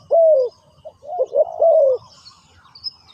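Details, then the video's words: A spotted dove used as a decoy to call wild doves gives a low, hollow coo followed by a quick run of rolling, mellow coos at a soft mid pitch against a quiet background. "chim cu mồi gáy gọi bổi"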